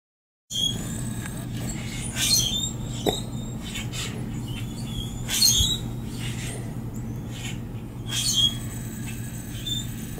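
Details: Common grackles in a front yard on 2 February 2018, mostly heard rather than seen, give high, squeaky, creaking notes in scattered bursts over a steady low hum.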